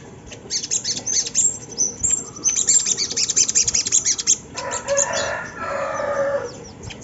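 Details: Sunda laughingthrush lure song to set birds in training singing: loud, dense bursts of high, rapid chirps, followed by a broader, harsher, lower rushing sound.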